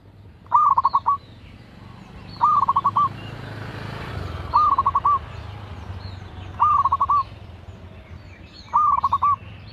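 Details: Local perkutut, or zebra dove, singing actively over steady background noise: five evenly spaced coo phrases about two seconds apart, each a soft note dissolving into a quick rattle of beats.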